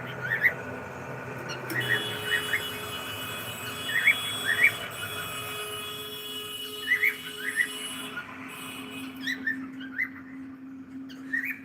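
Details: Pet cockatiel making a steady run of short, bright chirps, often in pairs, roughly two per second across nearly twelve seconds, against a constant electrical hum and room noise.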